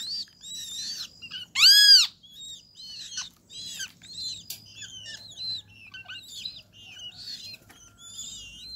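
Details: Great kiskadee family feeding at a feeder set in an acerola tree. One loud, harsh, arched call with strong overtones rings out near two seconds, surrounded by many thin, high, short chirps and squeaks scattered throughout.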